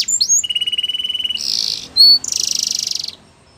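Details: Belgian canary song for training young canaries: short upslurred notes, a level buzzy held tone, a harsh noisy burst, a pure high whistle, then a pulsed rasping trill.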